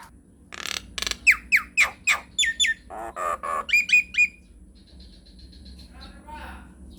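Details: Nias hill myna in a long rolling song meant to spur other mynas into answering: short noisy bursts, then a fast series of clear downward-slurred whistles and chattering notes, ending in quieter scratchy sounds.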